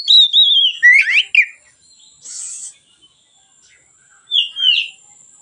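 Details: White-rumped shama singing calmly, a training lure for other birds: a few clear descending whistles and a rising note, a soft hiss, silence, then one more two-part whistle.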